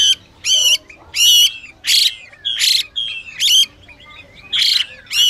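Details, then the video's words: A female Chinese hwamei gives harsh, rasping bursts about every half second, with faint thin whistles between them; female hwamei calls are used to excite male birds into singing. "Họa Mi Mái Xùy Kèm Họa Mi Trống Hót Kích"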